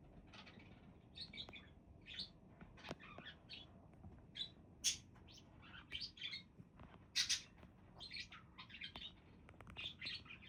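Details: Budgies keep up busy chatter, many quick high chirps and squeaky notes with occasional louder sharp calls, over faint low hum.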